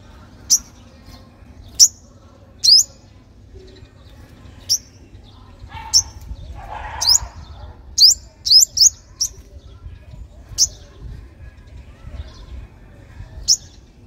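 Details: Sunbird, locally called five-coloured sunbird, in a song used to lure young wild birds and prompt caged birds to sing: sparse, sharp, very high chirps scattered over fourteen seconds, with a brief low rustle midway.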